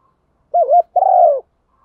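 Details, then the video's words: Female spotted dove calling to attract males: two low cooing notes around half a second apart, the first a quick double coo, the second longer and slowly falling, in a clean recording. "chim cu gáy MÁI kích trống hiệu quả, chim cu gáy mái gáy gọi chim trống nghe là gáy luân"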